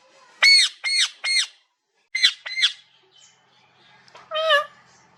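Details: Parrot doing cat sounds: three quick arched squawks, a pause, two shorter ones, then a lower, smoother, drawn-out meow-like call.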